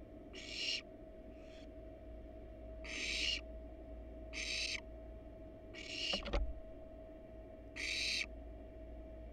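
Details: Barn owl pair resting on their nest box, nestlings inside, in the wild: breathy screech-hisses at irregular intervals, about six bursts, a sharp knock partway through and steady low hum beneath.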